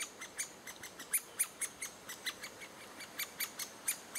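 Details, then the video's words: Great spotted woodpecker at a nest in June 2011, adults feeding chicks; a dense run of short sharp high notes, around four per second, slightly uneven in loudness. "Great spotted woodpecker june 2011"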